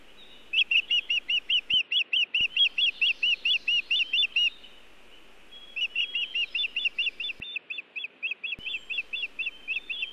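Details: Osprey calling at its Montana nest on 1 June 2017, 18:14, having brought nesting material but no fish: two rapid bursts of high chirping whistles, around fourteen then eighteen notes, separated by a pause, with a few faint clicks.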